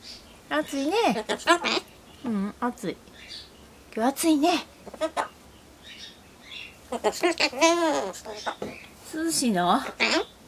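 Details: Pet Solomons corella talking in Japanese, having learned phrases such as "hot, isn't it", "cold, isn't it" and "cool, isn't it"; several bursts of speech-like mimicry with wavering, warbling voice tones in a quiet room.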